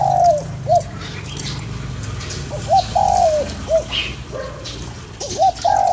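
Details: Spotted dove, calling to stir up a lure bird, repeats its three-note coo: short hoot, drawn-out slurred downward note, brief final hoot, phrases about two and a half seconds apart over low rumbling noise.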